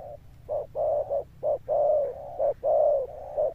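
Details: Spotted dove cooing with a deep, thunder-toned voice, given as persistent in its closing notes: low hollow coos in short bursts and longer drawn notes, roughly one phrase a second, on a quiet background.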